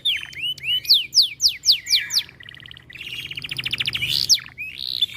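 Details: Canary in breeding condition, singing aggressively on hearing other birds: high sweeping slurred notes repeated about four per second, then a fast buzzy trill and rising whistles.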